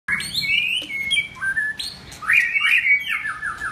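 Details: White-rumped shama singing while building form; loud, varied whistled phrases, sliding and rising notes with fluttering trills, delivered in quick succession in a quiet indoor setting.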